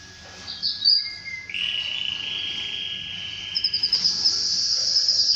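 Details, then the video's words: Canary heard before mating with its female: a smooth sustained lower trill, then a higher, fast pulsing roll with clipped repeated notes. "تزاوج طائر الكناري مع أنثاه بعد سماعه هده البتبته"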